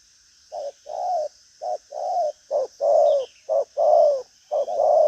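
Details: Caged male spotted dove cooing, a Vietnamese show bird kept for its coo: low hollow coo notes in short clusters, a brief note then longer swelling ones, about once a second, with a faint high chirp and steady background hiss.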